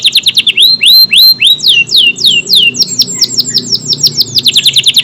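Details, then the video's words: Kenari AF canary in loud varied song: quick chips, a series of rising whistled slurs, then fast repeated downswept notes in tight sequence. Offered as long-duration tutoring song for Murai and Kacer. "KENARI AF GACOR, durasi panjang tembakan rapet pas buat isian Murai, Kacer dan burung lain"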